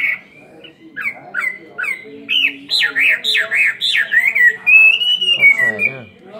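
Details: A caged Chinese hwamei, two years in the cage, in loud, varied competition song: a rapid run of clear whistled notes sliding up and down, building into rich looping phrases, with faint background noise.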